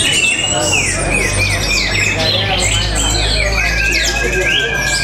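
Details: An orange-headed thrush from Tabanan, Bali, sings clear descending whistles and sharp chirps in quick succession over a steady low hum that runs under the whole passage.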